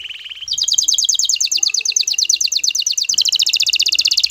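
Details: Male canary in breeding excitement, singing to bring a female into mating posture; a brief lower note leads into a continuous rapid high trill, evenly pulsed for about four seconds.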